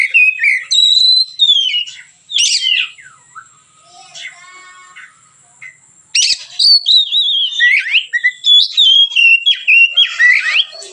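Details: White-rumped shama in relaxed song, used to tutor other birds: varied whistled phrases and harsh high notes, a soft gap of about four seconds, then a long fast run of loud descending whistles and trills.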